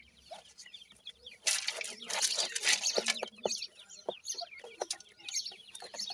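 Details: Young francolins calling with rapid high downward peeps, partly buried under a loud hissing rustle for about two seconds before the chirps stand out again.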